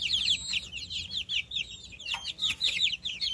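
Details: Little farm chicks peeping together, a dense stream of shrill, descending chirps rising and falling in loudness in short waves, several birds calling at once.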